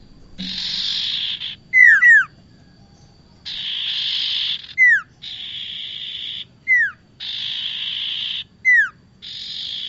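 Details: Bar-winged prinia sounds played to lure birds for trapping: alternating harsh buzzy bursts and sharp down-slurred whistles, the whistles repeated roughly every one to two seconds, once as a quick double.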